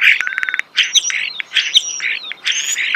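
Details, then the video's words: Brief close-up of a singing starling in natural surroundings: a fast rattle of clicks, then sliding whistles and harsh chirps in quick succession. "The song of the starling"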